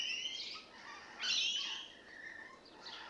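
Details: Newly arrived rainbow lorikeets carrying on: a shrill squawk, a louder grating screech in the middle, then softer chattering notes trailing off.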